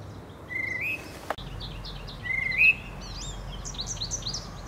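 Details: A male tufted titmouse whistles in spring, giving two level whistles that each end with an upward lift. A sharp knock falls between them, and a busy series of high chirps from other birds follows.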